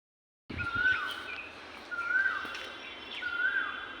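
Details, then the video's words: Cuckoos sit atop a tree in a city; one repeats a clear whistled phrase about every second and a half, rising then dropping, over a steady background hiss. "Cuckoo Birds sitting atop Tree in City Relaxing Natural bird chirping sounds"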